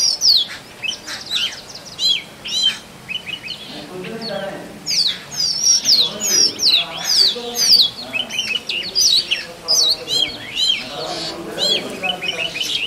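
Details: Oriental magpie-robin male in song to attract a partner in forest: a long, varied run of rich whistles, sharp chips and slurred notes, fast and melodious, with some low murmuring underneath in places.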